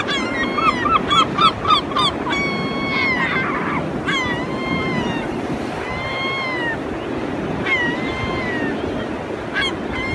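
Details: European herring gulls in a group calling loudly, flying and fighting; a rapid series of harsh laughing notes opens, followed by long drawn-out mewing wails repeated every couple of seconds above a constant surf-like roar.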